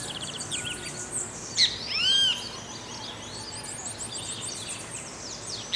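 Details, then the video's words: Great kiskadee song recorded in rural Pirenópolis, Goiás, Brazil: a short series of loud, rich, arching notes near the start, followed by thin high twittering of other birds in the background. "BEM-TE-VI CANTANDO na NATUREZA"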